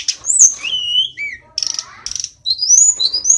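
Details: Mountain tledekan, also called sulingan, from Kokap in Kulon Progo, Yogyakarta, noted for mimicking other songs: a falling then level whistle, short buzzy chirps in two clusters, then rising whistled phrases climbing high.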